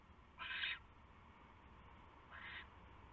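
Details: Nighttime owl at its nest, 27 January 2016 around 12:43 AM, as a large rat is delivered: one loud rasping screech, then a softer second one about two seconds later.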